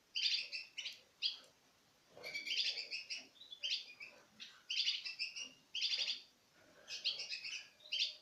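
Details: Captive pairs of citril finches eating from the hand give bright, twittering high calls in quick bursts, with short pauses between clusters and several birds chattering together.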